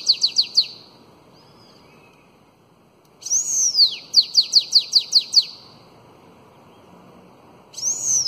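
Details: Bananaquit performing the elongated Belgian song used to train young birds: three brisk notes, a silence, then an arching high sweep leading into eight rapid down-slurred notes, and another sweep beginning.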